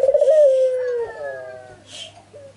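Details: Ringneck dove, a lure call to make other doves answer: one loud, rolling coo that slides gently downward, followed by a fainter, wavering tail note and a soft rustle.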